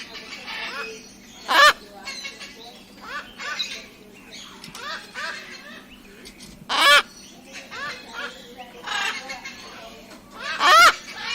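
A cockatoo gives three loud, harsh screeches about four seconds apart, with softer raspy, chattering notes between that could be mimicked speech.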